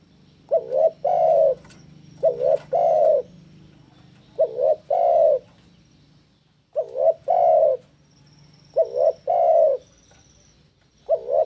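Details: Spotted dove in breeding condition, singing to challenge a rival, repeats soft low coo phrases about every two seconds. Each phrase is a brief coo, or two, followed by a drawn-out coo, against a faint steady background hum.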